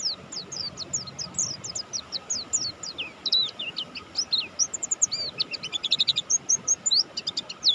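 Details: Mountain white-eye, Buxtoni type, in full energetic song: a fast, continuous stream of very high, thin chirps and slurred notes, denser and louder in the second half, with a steady low hum behind.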